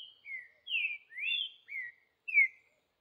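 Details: In the bush, a wild green-winged saltator delivers a short sequence of rich whistled notes, some falling and one rising, each about a quarter second long.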